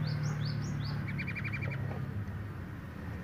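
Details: Sooty-headed bulbul, male and female in breeding condition: a few high, arched whistles, then a quick run of short, sharp chattering notes, about seven in half a second, over a steady low hum.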